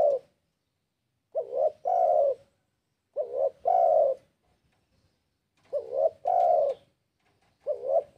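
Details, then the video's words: Spotted dove in breeding condition calling a rival: a trailing coo, then three phrases about two seconds apart, each a short wavering double note and a longer full coo, with the start of a fourth. "Suara TEKUKUR Gacorr BIRAHI Manggil LAWAN AUTO EMOSI"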